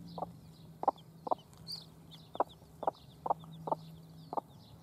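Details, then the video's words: Domestic hens tending chicks, June 2016: irregular low clucks, some doubled, spaced about half a second apart, while thin high chick peeps and one brief louder cheep sound in the background. "Haushuhn. Hennen mit Küken"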